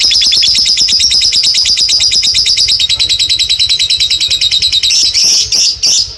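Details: Long ngekek trilling from a lovebird, a rapid high chattering rattle held steadily for about five seconds, then breaking into a few louder squeaky notes.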